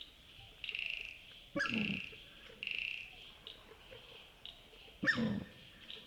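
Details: Australasian swamphen calling at night by a wetland in Wollemi National Park, NSW, Australia: two loud, harsh grunting squeals a few seconds apart, over a steady high-pitched chorus of frogs or insects.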